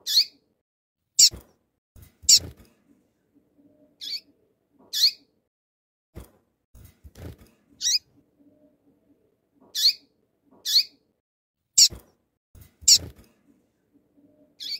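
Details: A female Double-collared Seedeater calls to warm up a male, giving short, sharp, high chips at an uneven pace, about one per second, over faint low knocks and rustles.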